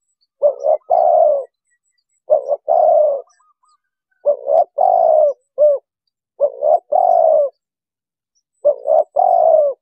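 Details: Spotted dove calls used by bird trappers as an MP3 lure for wild doves: five clear phrases, each two quick low coos followed by a drawn-out husky coo, spaced about two seconds apart, no other sounds.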